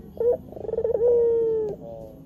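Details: White Barbary dove lure call: a brief opening note, a rapid wavering pulse series, then a long smooth coo sliding slightly downward, steady low hum underneath.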